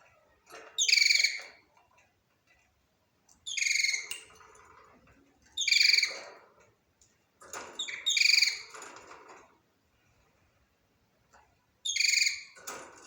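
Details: Budgerigar giving loud, harsh, harmonic chirping calls in short bursts roughly every two to three seconds, about five bursts with silent gaps between them.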